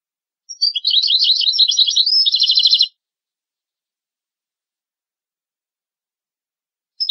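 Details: Training song of a European goldfinch for teaching young goldfinches and hybrids: a lively run of twittering notes ending in a rapid, buzzy, evenly pulsed trill, followed by long silence and one faint note at the end.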